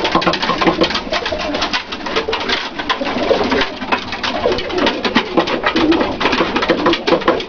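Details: Several domestic Dalıcı (diving) breed pigeons, with low rolling coos scattered through a steady broadband clatter of wings and movement, the sound staying busy and continuous.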